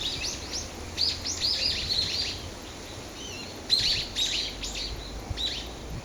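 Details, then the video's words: Wild birds calling beside Aobagaike pond, Japan, on 20 December; high thin chirps in loose clusters over steady background noise. "青葉ヶ池 鳥の鳴き声"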